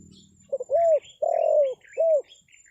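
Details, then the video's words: Spotted dove calling to lure wild doves: a quick stuttered lead-in and three soft hollow coos, short, long, short, while faint high twitters of other birds run above. "SUARA PANGGILAN TEKUKUR PIKAT, BURUNG HUTAN PASTI NYAHUT"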